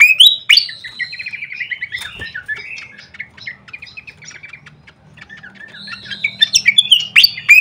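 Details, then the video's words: Fantail lure call meant to provoke a reaction: a sharp loud opening, a descending run of rapid chattering notes, a quieter spell of sparse chirps, then a strong return of sweeping whistles. "suara pikat khas srikatan kipas"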